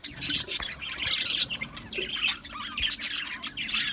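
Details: A colony of Australian budgerigars in an aviary gives bursts of shrill chirps and squawks that come in uneven waves, loud then briefly quieter, from many birds at once.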